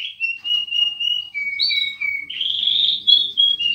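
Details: Canary crossed with linnet singing long flat whistled tones at steady pitch, then a rough buzzy phrase and bright whistles, with faint low background hum.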